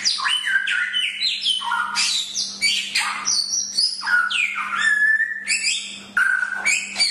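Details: Chinese hwamei, locally samyong, delivering a training song: dense run of loud, melodious whistles jumping between pitches, rising and falling slurs with harmonics, nearly nonstop, faint hum behind.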